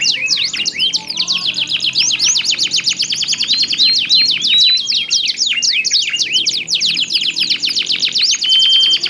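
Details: Domestic canaries, two birds in strong song answering each other, deliver a long unbroken stream of rapid trills, downswept chirps and rising whistles, ending on a short steady whistled note.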